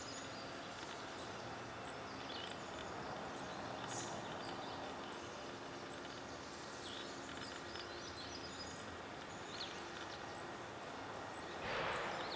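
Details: Fledgling dark-eyed junco, one of two accompanied by both parents, begging incessantly from a railing among redwoods in Guerneville, Sonoma County, California, on May 7, 2020. Thin, very high, sharp notes repeat about twice a second over a steady background hiss.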